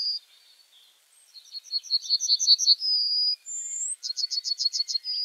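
Yellowhammer singing a quick string of high, dry repeated notes ending in a drawn-out wheezy note, followed by another rattling run of repeated notes.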